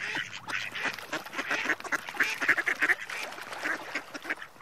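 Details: Mallard ducks calling in a busy run of harsh, nasal quacks, many overlapping in quick uneven bursts, with several birds seemingly calling at once and a steady background murmur.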